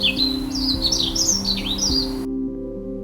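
A robin sings a rapid, warbling run of high, sweet whistled notes that rise and fall for about two seconds, over a steady background of soft music.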